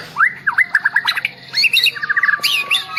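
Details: White-rumped shama of the Medan type, shown bowing low as it sings: loud whistled notes sliding up and down, then a quick run of short descending chirps and sharp high accents, with brief pauses.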